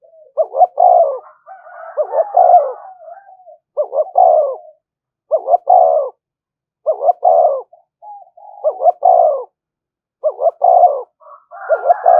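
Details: Provoking call of a spotted dove. About seven coo phrases come at steady intervals, each a fast double note running into a drawn-out husky coo. Faint higher tonal notes overlap early and at the end.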